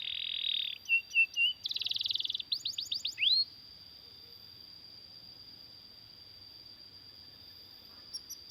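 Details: Canary song for training other canaries: a buzzy high trill, short warbled notes, a fast rattling burst and quick downward sweeps, then a long steady high whistled tone held to the end.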